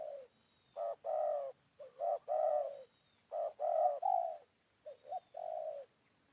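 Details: Spotted dove phrases recorded while a decoy lures wild doves, midday after morning rain; repeated sequences of short quick hoots ending in a longer drawn coo, about four phrases in six seconds, with a thin high hum behind.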